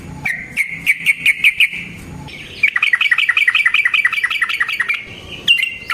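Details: A yellow-vented bulbul delivers a long rolling fighting song meant to provoke other bulbuls: a run of sharp notes, a brief pause, then a long, fast, steady trill of repeated notes ending with a single loud note.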